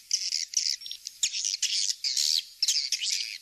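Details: Swiftlet calls played back to attract the birds: harsh, buzzy high chirps in short bursts of about half a second, separated by brief quiet breaks.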